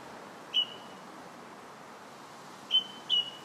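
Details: Song thrush singing on July 8th: three brief, clear whistled notes, one alone and then a quick pair, over a steady background rumble of distant traffic or wind.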